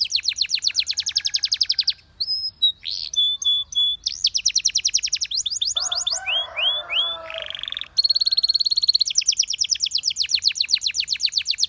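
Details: Belgian canary performing a lengthy song: rapid repeated sweeping trills, a pause, varied clipped notes, a lower gurgling passage, then a bright sustained trill returning to fast sweeps.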